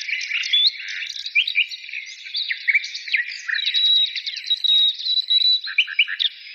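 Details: Birds singing: a dense, continuous mix of high twittering and warbling phrases with quick whistled notes and trills overlapping throughout, with no other sounds.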